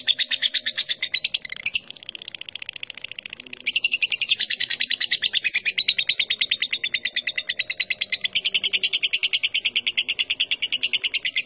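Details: Lovebird ngetik chatter meant to draw out long ngekek singing, a long unbroken stream of rapid, shrill, rattling notes, briefly dipping in loudness near the start, then evenly pulsed and high-pitched throughout.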